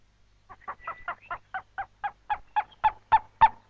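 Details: Purple-crested turaco (lourie) in woodland toward thicker forest near water, giving a loud, raucous series of about fourteen croaking notes, accelerating slightly and growing louder toward the end.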